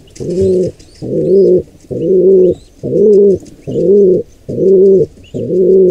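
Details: Wild pigeons where a squab is being attacked by an intruding pair, giving a steady series of seven deep, humming coos close together, faint chirping overhead.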